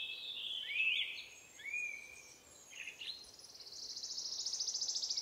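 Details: Blue-black grassquit at a roadside near Ollantaytambo, Peru, about 3000 m altitude, March 2023, giving high, thin buzzy notes and slurred chirps, ending in a fast, even, high-pitched trill over faint background hiss.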